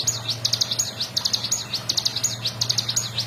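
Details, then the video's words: Bar-winged prinia song meant as a tutor for other birds: short clusters of sharp, high, down-and-up flicked notes, roughly one cluster every half second, over a faint low hum. "CIGUN GACOR FULL NGEBREN"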